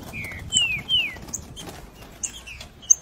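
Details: Green-winged saltator singing in the 3 nota boi style: two loud, clear whistled notes that slur downward, followed by faint, scattered high chirps.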